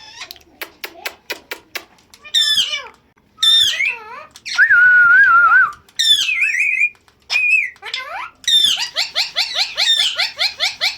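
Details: Pet ringneck parrot, a talking bird kept indoors, giving a run of sharp clicks followed by loud whistled and harsh calls, rising and falling slurs, ending in a rapid repeated chatter.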